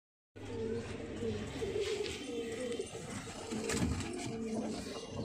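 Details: Domestic pigeons kept for sale give low, rolling coos that overlap steadily through the clip, several birds at once, in a small indoor room with faint human voices.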